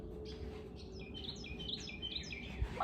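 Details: Swallow mother harassing someone near her porch nest of five eggs, flying in close; a run of quick, high chittering notes, some rising and falling, over low background hum, with a soft knock near the end.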